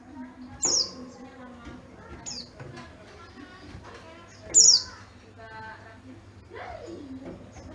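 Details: A high, loud chirp slides downward twice from a yellow-breasted Oriental white-eye from Garut, with softer twitters in between and indoor chatter behind.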